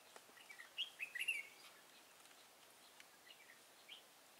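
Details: Red-whiskered bulbul at a trap site in Thái Nguyên, Vietnam, 13 August 2018, where a decoy is set for an old wild bird; one quick burst of sweet, rolling warbled notes, then faint distant chirps over a low hiss.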